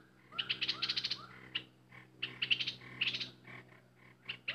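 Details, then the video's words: Excited decoy bulbul singing: quick runs of high sharp chirps in clusters, with soft lower slurred notes underneath and brief pauses between bursts. "Burung merbah lekir bay hoach thom gacor bahanan"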